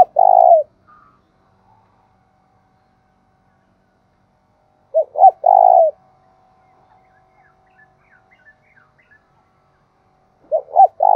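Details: Decoy spotted dove used to attract wild doves, giving its low three-note coo roughly every five seconds, with long silences between phrases and faint chirps in the background.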